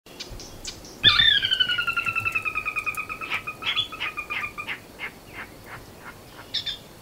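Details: Sora giving its whinny: a loud, high descending series of clear whinnying notes that starts abruptly, then continues as a falling run of shorter notes that slows and fades over about four seconds. A faint note closes the run.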